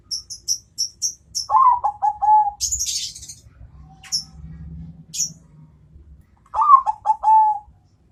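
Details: Bangkok-type zebra dove calling to draw a rival into answering: two bouts of rapid, stuttering cooing notes that run together into a rolling phrase, with sharp high chirps from another bird before and between them and a faint low hum.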